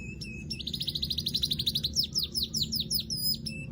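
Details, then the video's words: Weaver calls: a short note, then a fast buzzy rattle of rapid repeated notes for about a second and a half, breaking into sharper descending chirps; faint low background hum. "Crecet .. Cret ..!! SUARA PANGGILAN BURUNG MANYAR"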